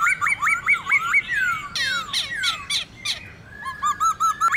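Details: White-browed laughingthrush singing a wild-type song: rich, looping whistled phrases, then a burst of harsh downslurred notes and squawks, ending with clear rising whistles repeated quickly.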